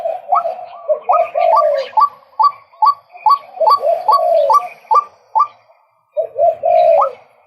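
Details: Rhythmic hooked croaks from a male white-breasted waterhen, each note climbing quickly, repeated in a long series that stops briefly near the end before a few more calls follow.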